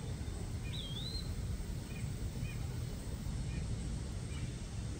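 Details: An Eastern Wood-Pewee calls on a morning in a Kansas City, Missouri backyard: one high, slurred whistle that dips then rises, then several faint short notes, over a steady low rumble of wind or distant traffic.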